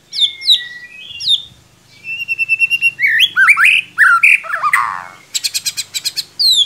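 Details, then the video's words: White-rumped shama song for coaxing a quiet bird to sing: whistled notes and a long steady whistle, then fast rising slurs, a harsh rasp and a rapid stuttering trill of high notes. "Solusi murai ngiriwik kurang gacor cukup dengarkan suara pancingan ini pasti nyangut"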